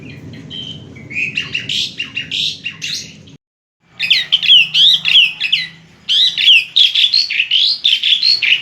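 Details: Jalak suren (Asian pied starling) song with varied vocal patterns: scratchy chatter gives way, after a brief silence, to rapid loud bursts of slurred, up-and-down whistles repeated about three times a second, with a faint low hum beneath.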